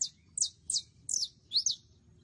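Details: Saffron finch giving a few loud, high, sharply descending chirps roughly every third of a second, the last ones doubled and more complex, against faint low noise.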